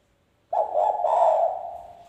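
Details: Spotted dove in vigorous wild-style (ngalas) voice, used to lure wild birds: a single low, throaty coo phrase lasting about a second and a half, with a slight lift midway, then trailing off.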